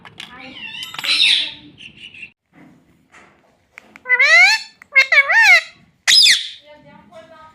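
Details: Pet talking parrot indoors in a small room, said to say mummy and papa; after human voices, a run of loud, rising and falling harmonic sweeps comes in three quick bursts near the end.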